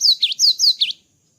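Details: Java sparrow after moulting: a quick series of five high notes, downward-slurred whistles alternating with V-shaped dipping chirps, ending abruptly.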